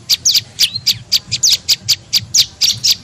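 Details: Tailorbird (prenjak lumut) lure call for attracting birds: bright high chirps and quick slurred notes, roughly four per second, unevenly spaced, over a faint low background hum.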